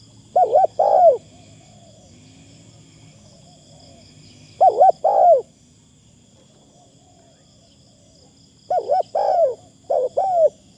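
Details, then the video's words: Decoy spotted dove calling with fine, thin phrasing: soft hollow coos in short bursts, a double note then a drawn-out falling coo, three to four bursts with long pauses and a faint constant high whine behind. "ต่อนกเขาใหญ่ เสียงดีมากคารมบางๆฟังแล้วเพลิน"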